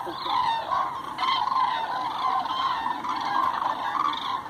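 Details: Large flock of common cranes on a roost flight, Hortobágy National Park, Hungary, 2 November 2016 (about 47,000 counted): dense chorus of many overlapping loud, rolling trumpeted calls carrying on without pause.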